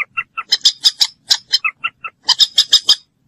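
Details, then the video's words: Common moorhen, locally ডুংখোর, giving rapid series of short, sharp clucking notes, alternating clearer two-toned kek sounds with harsher, rasping squawks in quick bursts, about fifteen notes in three seconds. "moorhen bird shound (ডুংখোর পাখির ডাক)"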